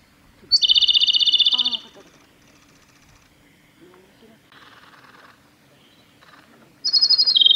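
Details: A male Japanese robin sings at Yanagisawa Pass, 25 April 2021. A rapid, loud, rattling high trill lasts over a second, then softer chirps and twitters from other birds, and a second trill begins near the end.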